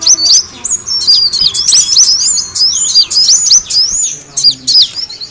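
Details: High, tumbling chirps of the kolibri wulung sunbird come from a lure recording meant to attract birds, rising and falling in a steady rapid chatter throughout.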